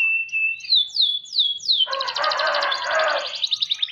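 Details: Canary song in an ornate style: a level whistle, then four falling sweeps, followed by a dense buzzy rattle with rapid repeated high notes over a broad harsh noise.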